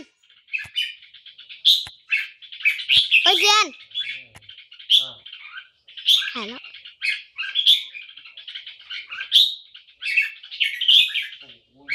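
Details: A caged red-whiskered bulbul sings a long series of clear whistled notes in bursts about a second apart, while a man repeatedly calls out to it, his voice sliding through the song twice.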